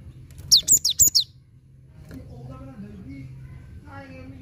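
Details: Cinereous tit song as a lure for a bird that has gone quiet: five fast, shrill, falling whistled notes, then soft background voices and a low hum.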